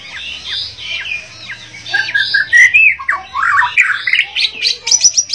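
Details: White-rumped shama, Bornean form, singing actively: a dense, varied run of whistles, chirps and harsh notes, rising in loudness midway, with fast high trills near the end and a faint low hum beneath.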